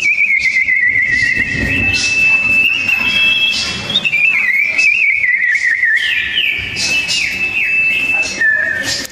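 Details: Sooty-headed bulbul song duel, loud and tightly packed: a long wavering whistle dipping and rising, then fast stepped trills and a final descending slur.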